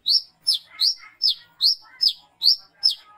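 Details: Brown-throated sunbird calling loudly at night, recorded as a lure to attract other sunbirds; sharp, high chirps, each sliding downward and trailed by a softer lower twitter, repeated steadily about every 0.4 seconds.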